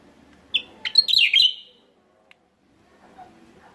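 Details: From West Java, a Javan myna lure call: one short burst opening with a clear whistled note, then rasping, squeaky slurred notes lasting about a second, followed by quiet with a faint click.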